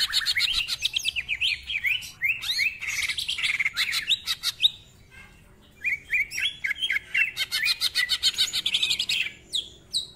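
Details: Greater green leafbird delivering rapid, varied song: fast stuttering trills and swooping whistles, a brief pause, then another dense burst of rough chatter and high notes, ngentrok style with lavish isian.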